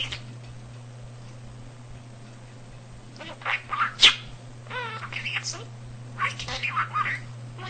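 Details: Indoor pet budgerigar, a male with a vocabulary of nearly 300 words, is quiet at first, then bursts into warbling, buzzy speech-like phrases and chirps from about three seconds on, with a low hum throughout.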